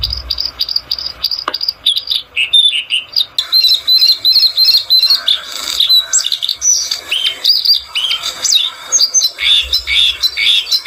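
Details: Bluethroat in sustained song: fast varied phrases of high twittering notes, sharp whistles and rapid trills delivered in bursts with short gaps, loud and close throughout.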